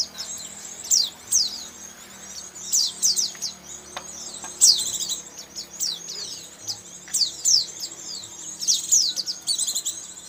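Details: Lure recording for trapping white-eyes, full of high twittering chatter: quick downward-sweeping tweets and buzzy trills in repeated bursts about every second, several birds seemingly calling at once.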